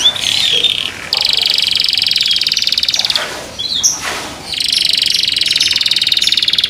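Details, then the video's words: Kept canary singing in a way said to draw other canaries into song: loud, steady buzzy trills held for several seconds, broken by short sweeping notes and a brief pause midway. "THE SOUND OF CANARIES CAN MAKE OTHER CANARIES JOIN TO SING"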